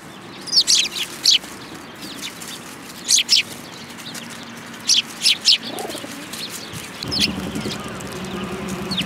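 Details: A flock of Eurasian tree sparrows coming for food at a Tenmangu shrine in Japan, 10 February 2022: sharp high chirps in pairs and short clusters, with gaps of a second or more, over a low background rumble.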